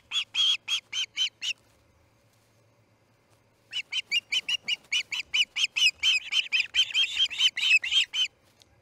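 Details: Charlo nest osprey during a chick's fledging on an August 2018 morning; a quick series of loud piping whistles, about two seconds of quiet, then a long run of rapid, shrill repeated chirps that grows more insistent.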